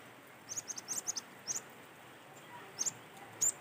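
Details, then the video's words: Wild-sounding cinereous tit song used to coax other birds into singing: a quick series of high, sharp paired chips, a pause, then a few more isolated high notes over faint hiss. "PANCINGAN GELATIK BATU ASLI SUARA ALAM"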